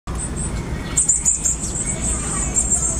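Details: Varied tit nestlings in a second brood beg with a thin, very high, continuous hissing chorus that swells as parents bring food, over low rumbling noise; finding: Varied tit.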